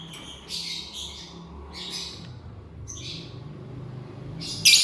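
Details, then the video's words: Lovebird eating corn and chirping, giving a series of short, raspy, high screeches in quick bursts, ending with a loud, sharp squawk, with a low steady hum beneath. "Lovebird Chirping Sounds: Lovebird Eat corn"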